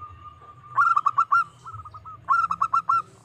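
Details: Local zebra dove giving a challenge call to provoke rivals: two bursts of about five quick, resonant cooing notes, with a soft rolling trill between them, over a low background rumble.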